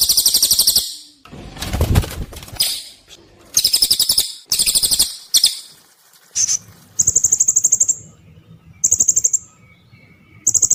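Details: Cililin song used as masteran training audio for competition birds: sharp, very high buzzy trills in bursts about a second long, separated by short pauses, with a rougher lower noisy passage early on and thinner high whistled notes later.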